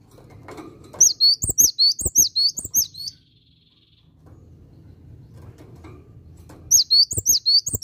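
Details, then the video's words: A cinereous tit in full, lively song delivers quick runs of bright, high two-part whistles, about nine notes in two seconds, pauses, then starts again, over low background rumble. "Gelatik Batu Asli Gacor"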